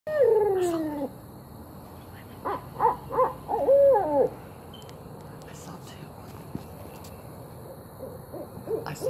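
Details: Barred owl calling, two birds seen: a loud descending wavering hoot opens, then a burst of rising and falling cackling hoots, followed by quieter background noise.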